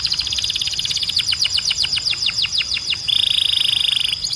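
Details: Belgian canary song meant for training birds: a brisk series of falling whistled sweeps, roughly five per second, giving way to a rapid, even, buzzy trill.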